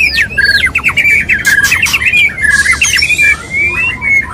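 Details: Mating call of a male white-rumped shama courting a female. Quick bright whistles and chirps tumble together, cut through by loud rasping squawks, then a few clear rising whistles close the phrase.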